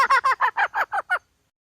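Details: Trapping lure of a hen: eight short, nasal, honking clucks in steady rhythm, about five per second, followed by silence.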